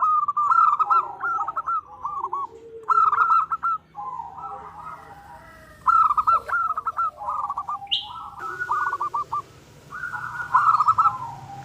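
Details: Calling female zebra dove, a local bird used to lure males into answering. Repeated phrases of rapid, clipped coos rise and fall at a steady mid pitch. A brief higher chirp sounds near the end over a faint low background hum.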